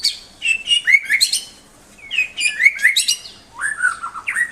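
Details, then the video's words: White-rumped shama singing a rich, varied song of whistled phrases sliding between high and mid pitch, delivered in three bursts separated by short pauses. "Kicau murai yang bikin ngiri nie super banget"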